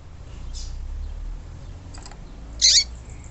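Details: Female yellow-bellied seedeater giving a harsh, buzzy chip, a call meant to excite males; a softer high note comes first, then the loud single call near the end, over steady low hum.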